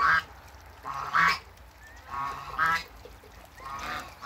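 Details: African geese, a couple at a waterbird farm, uttering short harsh honks in uneven sequence, about five calls separated by quieter pauses.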